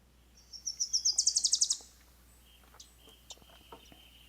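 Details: Wilson's Warbler song: a rapid run of high, chattering notes that begins softly and swells to a loud crescendo over about a second and a half, then a few faint, scattered high chips.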